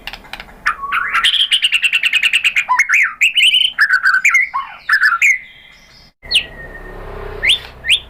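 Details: White-rumped shama (murai batu) song used to provoke a singing reply: a fast run of chirps, then looping whistled phrases and a sudden cut, ending with a few scattered sharp calls over low hum.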